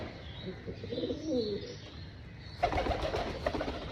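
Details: Breakfast time for pigeons on a rooftop farm, a rolling low coo swells and fades, then gives way to sudden scuffling, tapping and wing noise.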